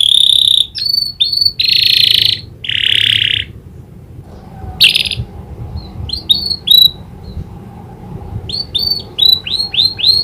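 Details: Canary trained with prinia clicking-call imitation, delivering loud harsh buzzy bursts and sweeping chirps separated by pauses, ending in a quick series of rising high notes.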